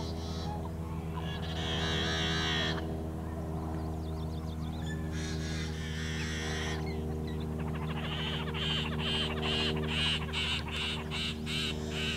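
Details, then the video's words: Raspy, harsh yellow-headed blackbird song from summer wetlands along the Great Salt Lake: long buzzy rasps, then a rapid string of scratchy pulses, with faint chirps between and a constant low hum. "Calls Of The Yellow-Headed Blackbird"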